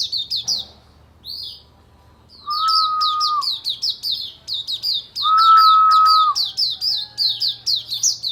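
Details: Oriental white-eye on a bright morning: fast, high twittering chirps repeated several times a second, broken by a pause, with two long steady lower whistles running beneath the chatter.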